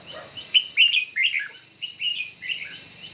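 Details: Red-whiskered bulbul in a morning singing contest, giving short bright warbled phrases that rise and fall, each about a quarter second long, delivered in quick bursts with brief gaps and little background noise.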